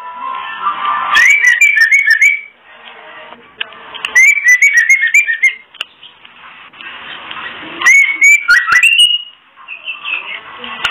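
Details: Female oriental magpie-robin giving the kretekan call, used to bring into breeding condition male birds that are mentally unsettled or lack breeding drive. Quick slurred whistled notes come in three bursts of about one to one and a half seconds, with pauses between, over steady hiss.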